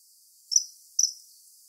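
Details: Common kingfisher recorded in Wittlich in 2017: two brief, shrill, high-pitched whistled notes about half a second apart, against near silence.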